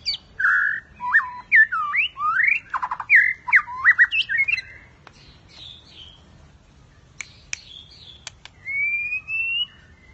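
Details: In a singing contest, a white-rumped shama pours out a varied run of loud, slurred whistles and squawky notes, then clicks, sharp snaps and a long, slightly rising whistle.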